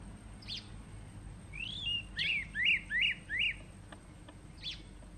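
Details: Kurrichane thrush at Letaba Rest Camp, Kruger National Park, giving a quick run of four or five sharp, rising whistled notes, about three per second, preceded and followed by thin high single notes.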